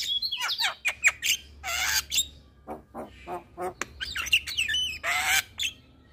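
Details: Javan myna vocal lure for stressed or moulting caged mynas: sliding whistles, sharp clicks and broad harsh squawks in irregular bursts.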